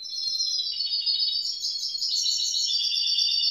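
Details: Steady high twittering song from a young grey-blue goldfinch mule, quick repeated notes stepping up in pitch midway, with light background hiss.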